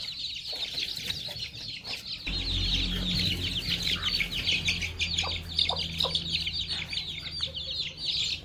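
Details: Many baby chicks and young chickens chirp excitedly while pecking at fresh termites on a farm, a continuous chorus of rapid high peeps with a low rumble in the background.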